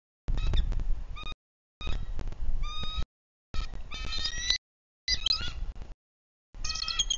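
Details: Adult bald eagle pair at a nest in Bluff City, Tennessee, staying close to defend the nest and their eaglet; high, thin whistled chirps in rapid series, broken into bursts with gaps, over wind rumble.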